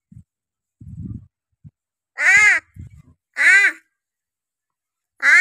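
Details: Pet crow known for talking, said to utter just "ho" and "kay", responding as someone offers it a treat: three loud, rasping, arched caws spaced about a second apart, separated by faint low human voices.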